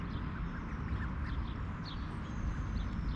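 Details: Wild mallards, a mother with her nearly grown brood of six, at Snelli Pond in Tallinn's Old Town, Estonia, early morning around 6:30 in mid-July 2021 while being fed oats; faint quacks over a steady low rumble.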